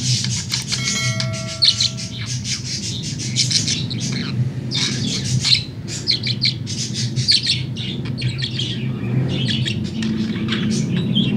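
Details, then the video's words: Tame pet budgerigar singing in the afternoon, a continuous stream of fast scratchy chirps, clicks and squeaky twitters, over a constant low background rumble. "SUARA PARKIT"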